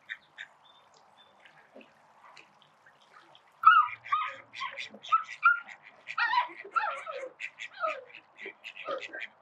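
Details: Call ducks at a backyard spray pool: a quiet start with faint calls, then loud, harsh, nasal quacks in uneven overlapping bursts from several birds, with a soft background hiss.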